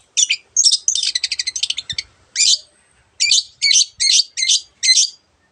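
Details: Long-tailed shrike in active song: an opening run of rapid rattling notes, then a pause and a series of harsh, scratchy chirps spaced about half a second apart, with a couple of faint knocks.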